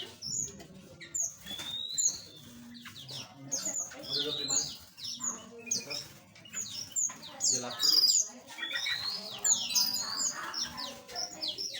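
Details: Small aviary birds chirping together in a flock, with dense overlapping high-pitched tweets and short rising and falling whistles that continue throughout, plus faint low background murmur.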